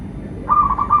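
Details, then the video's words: Zebra dove, local bird, singing to draw other doves to sing: a brief phrase of quick whistled notes breaking into a short trill, with a low background rumble. "Perkutut lokal gacor pancingan burung perkutut GACOR dan BUNYI"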